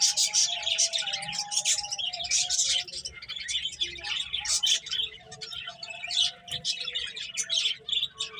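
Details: Several finches chirping while eating and playing, a busy mix of rapid high tweets and chips overlapping continuously, over a low background hum with faint tonal lines.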